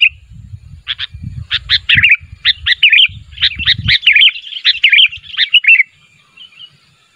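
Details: Sooty-headed bulbul calling so that other bulbuls answer: a fast string of bright, bubbly chirps and short warbled phrases for about five seconds, with low thumping handling noise early on, then fading to faint notes.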